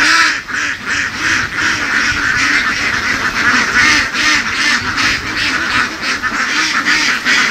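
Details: Laying ducks herded through the fields by farmers of the western region, a large flock quacking nonstop in a dense chorus; nasal, harmonic quacks repeat rapidly, more than two per second, over a steady noisy background.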